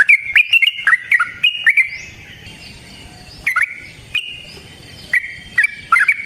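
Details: Yellow-vented bulbul fighting song, a long provoking performance. Opens with a fast run of bubbly, wavering notes lasting under two seconds. Isolated chirps follow at intervals of about a second, with a faint rising whistle and clicks behind.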